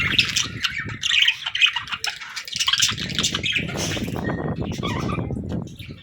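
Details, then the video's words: Young budgerigars playing and chatting, a dense flock chatter of scratchy chirps and warbles overlapping, with squawky notes and low rustling and bumping beneath. "Baby Budgies Playing & Talking 🐣🎶 | Fun Chirping Sounds"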